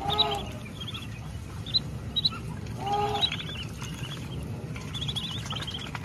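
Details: On a countryside farm, a mother duck takes her ducklings to eat: two separate nasal quacks, one at the start and one midway, with soft high peeping from the young throughout and a low background hum.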